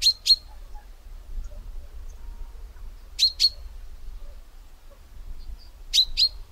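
A common chaffinch gives sharp, metallic 'pink-pink' double notes about every three seconds over a low background rumble.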